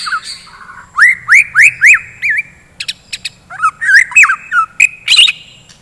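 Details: White-rumped shama morning song, used to spur fighter birds: a series of four loud upswept whistles, about two per second, then scattered clicks and tumbling whistled phrases.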